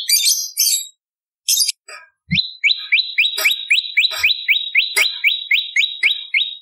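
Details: Bar-winged prinia song used as a lure and as tutor material for magpie-robins and leafbirds: a few harsh buzzy bursts, then a fast run of sharp rising chips, about three to four per second, bright and high.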